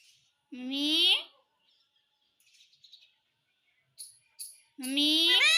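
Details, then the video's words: Talking Indian ringneck parrot saying "mummy". Two strong, nasal, rising harmonic utterances, one near the start and one at the end, with scattered faint squeaks and clicks between them. "MUMMY BOLNE WALA TOTA - BOLNE WALA TOTA - TALKING PARROT"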